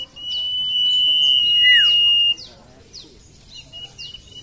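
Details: Common iora singing a long, pure, level whistle for about two seconds, ending in a quick downward slurred note. Softer, thin descending chirps follow after a pause. Played as a lure for birds reluctant to sing.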